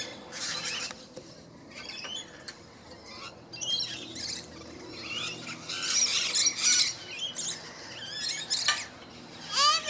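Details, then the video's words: Fighting rainbow lorikeets screech and squeal in harsh, high, rapid bursts, several calls overlapping and building in intensity, with a steady low hum underneath. "fighting rainbow lorikeets"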